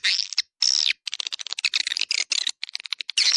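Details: Short excerpt of a 'Dua Bidadari' swiftlet luring call: a rasping buzz, then a whistled downslurred note, followed by scattered rapid clicking chirps and a closing buzzy rattle.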